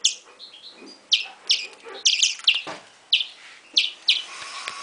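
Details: Begging calls from a European greenfinch nestling, sharp high chirps in irregular bursts roughly every half second, some doubled, over light background noise.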